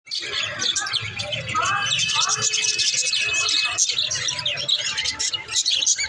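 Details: Budgerigars (Melopsittacus undulatus) chatter nonstop in a dense flock, a busy mix of high warbles, chirps and squeaky notes with short whistled tones overlapping throughout.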